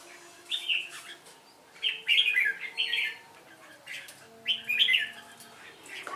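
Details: Caged red-whiskered bulbul in competitive singing with a female decoy, delivering short lively warbled whistle phrases about every second and a half, separated by pauses, over faint steady background hum.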